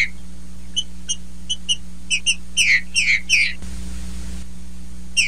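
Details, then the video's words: Green-winged saltator female giving male-like song, short whistled notes spaced evenly then a run of louder downward-slurred phrases, a brief pause of noise, steady low background hum throughout. "TRINCA FERRO FEMEA MACHEANDO"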